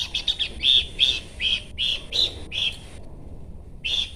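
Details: A Horsfield's babbler repeats clear, ringing high notes about every third of a second, a steady series broken by one short pause near the end.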